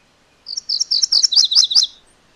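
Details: MacGillivray's warbler delivering a single quick song: around eight high, sharp syllables in steady rhythm, shifting to doubled lower notes at the close.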